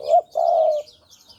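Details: One full phrase of Javanese spotted dove song, used as a trapping lure: a short, bright, quavering coo, then a longer smooth hollow coo, with high chirping of other birds behind.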